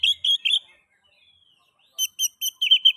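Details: Oriental magpie-robin song, intended to set other magpie-robins singing: three buzzy whistled notes, a pause of over a second, then a quick series of sharp repeated chirps.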